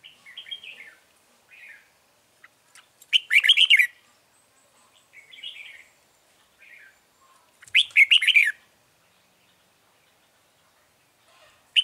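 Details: Red-whiskered bulbul at a trap set for wild birds, 9 March 2020, repeating a lively burst of rapid, rolling whistled notes twice, about five seconds apart, with quieter short calls in between.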